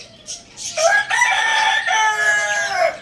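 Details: At Lalukhet bird market, a Lohmann Brown rooster gives a loud crow. It is a broad, bright call in two long connected parts, preceded by a few short high chirps.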